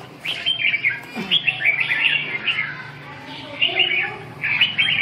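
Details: Red-whiskered bulbul during a song-training session dated 2/6/2012, giving short bright warbled phrases repeated with brief pauses between bursts, with faint low background hum.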